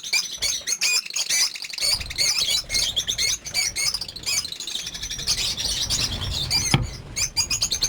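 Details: Lovebirds at a breeding farm housing over 50 birds; a dense, continuous chorus of shrill squeaky chirps and chatter from many birds at once, high-pitched and overlapping, with brief pauses and a few sharp clicks.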